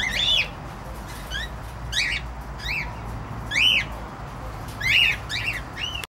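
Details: Spaced arched chirps from a cockatiel, about one every second or so, some fainter and some loud and harmonic-rich, over a low hum, ending abruptly.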